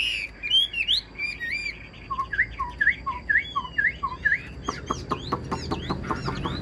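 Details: Caged Chinese hwamei song: a few sliding whistles, then a series of short rising whistled notes repeated about twice a second, followed by sharp clicking notes and faint background noise.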